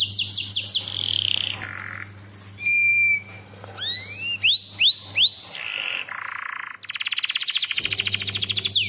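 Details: Canary singing a lure song used to train and stimulate other canaries: downward chirps, a short low roll, a thin whistle, and rising upslurred notes. Buzzy rolls and a long rattling trill follow, over a steady low hum.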